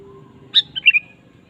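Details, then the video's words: Sooty-headed bulbul singing actively: a single brief phrase, a sharp high note followed by two quick, bubbly slurred chirps, over a soft low hum. "suara burung kutilang gacor"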